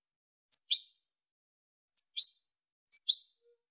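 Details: European goldfinch, Malaga song type for tutoring chicks and hybrids: three short bright phrases, each a high pure whistle dropping into a crisp double twitter, spaced about a second or more apart in a quiet background.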